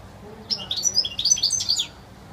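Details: One lively phrase of pure wild goldfinch song, a rapid string of high, liquid twitters and chirps lasting about one and a half seconds against a quiet background.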